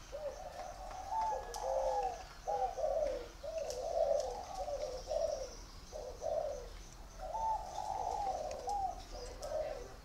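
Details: Spotted doves kept at a dove-breeding garden in Vân Hòa commune, Ba Vì district, northern Vietnam, cooing in overlapping phrases of soft, hooting notes, several bursts across ten seconds, with faint rural background hiss.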